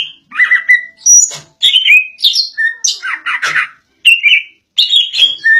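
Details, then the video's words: A greater green leafbird sings insistently ('ngotot'): a rich, varied stream of whistled, chattering and slurred phrases, fast and loud, with brief pauses between bursts. "Cucak ijo suara ngotot"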